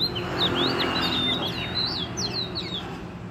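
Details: Oriental magpie-robin, wild forest bird, singing hard in a lively run of looping whistles and sharp upslurred notes, phrases tumbling one after another with little pause, low hum beneath.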